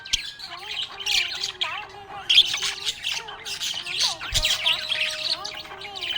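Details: Happy budgie chattering: a dense, scratchy warble of rapid chirps and squawks, with lower sliding tonal notes running beneath.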